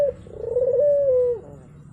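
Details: Turtle dove, used as a lure to make a silent dove start singing: a single low, mellow coo that opens with a brief note, holds a long smooth steady tone, then drops away at the end.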